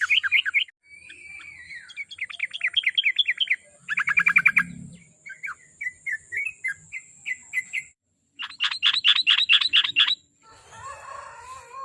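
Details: Sooty-headed bulbul song used as a lure to coax a kept bird into singing daily: bursts of fast, repeated chirpy notes alternating with short scattered tweets and pauses, varied phrases throughout, with a little background noise at the end.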